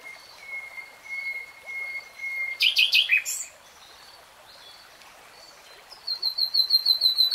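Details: Nightingale singing near a stream: a long, thin sustained whistle, then a dense burst of loud chattering notes, a pause, and a quick rhythmic series of high repeated whistles.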